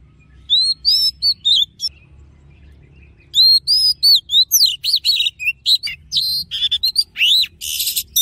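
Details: Oriental magpie-robin singing in its wild-style voice for song training: rich, varied whistled phrases, clear rising and falling notes mixed with rapid buzzy trills and chattering bursts, with a faint low hum underneath.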